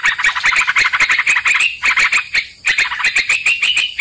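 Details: Yellow-vented bulbul sound played as a lure to trap birds: fast runs of bright, chattering notes, bursts of quick repeated chirps broken by short pauses, with a brief rising phrase near the middle.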